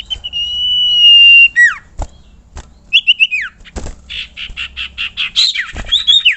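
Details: Common iora lure call meant to draw other ioras into singing: a long level whistle, a sharp falling note, then scattered clicks, a burst of rapid chattering notes and several brief whistled slurs.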